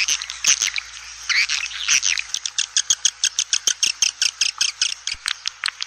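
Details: Swiftlet call used to draw swiftlets quickly into a swiftlet house. A dense, buzzy chatter gives way to a fast, even series of sharp, clicking chirps, about four per second.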